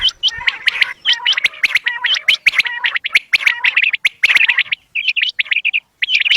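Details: Quail calling in a recording used for hunting, with dense runs of sharp, high chirped notes tumbling over one another and brief pauses, plus clicky bursts throughout.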